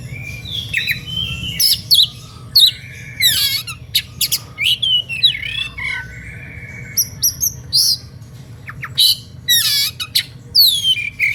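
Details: Oriental magpie-robin in energetic, emotional song that provokes listening rivals to join in: rapid run of varied whistles, buzzy trills, harsh notes and long sliding tones, nearly continuous phrases, with a faint low hum beneath.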